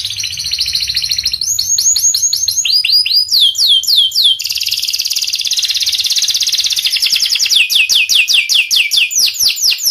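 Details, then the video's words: Energetic panda canary song made of one long unbroken stream of rapid trills. Each trill repeats a short downward-slurred whistle many times per second, and the tempo and tone shift every second or two. "Kenari panda gacor"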